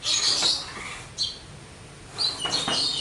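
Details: Javan myna (jalak kebo) in lively song with full material, two bursts of harsh, buzzy high notes and a brief whistle between them, separated by a quiet pause.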